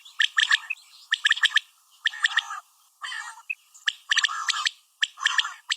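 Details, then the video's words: Common quail, female, calling in repeated groups of three to five harsh clicking chirps, each group about a second apart, with a short tonal note in one gap. "Common quail Calling| Female Quail sounds"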